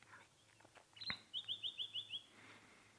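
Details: White-browed scrub robin, a skulking mimic, sitting openly and prominently calling at sunset in the bush, late November: a sharp upslurred note then a quick run of six high, clear, slightly buzzy notes at about three per second; faint background hum.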